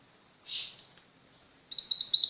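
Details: Female mountain mantenan white-eye, a tireless singer used to train pet white-eyes: a brief smeared chirp, a pause, then a loud, high, rapidly trilled twitter to the end.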